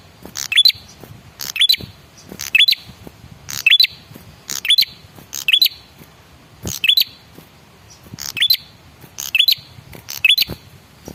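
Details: Male red-headed prinia lure call: harsh double chips each capped by a thin rising whistle, about ten bursts in steady succession roughly once per second.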